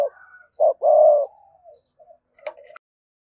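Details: Spotted dove coo of the gọi hai hậu type, used to excite a newly trapped dove; one clipped low note then a longer mellow coo, fading into quiet, faint murmurs.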